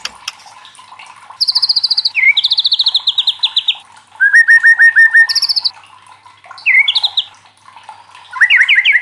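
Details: A White-rumped shama sings loudly to challenge other shamas into song: fast high buzzy trills, evenly spaced whistled note series, and rising twisted phrases separated by short pauses.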